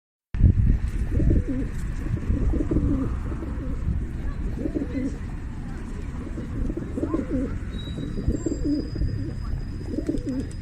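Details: Pigeons cooing in a series of low, throaty, rolling coos that return roughly every two seconds, over a steady deep rumble of background noise and a faint high whistle near the end.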